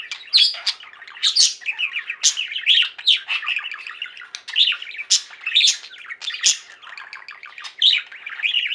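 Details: Pet budgerigars in a singing flock keep up a steady warbling chatter, mixing buzzy rolling notes with loud sharp chirps that stand out about once a second.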